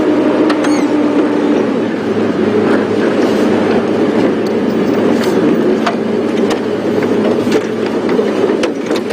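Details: Steady engine rumble from a safari vehicle during a morning drive, with scattered sharp clicks and knocks over the drone.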